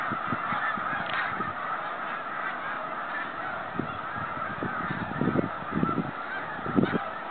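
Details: Snow geese heading home on migration in 2013, a steady chorus of many overlapping honking calls from a large flock, with a few louder nearer honks standing out toward the end.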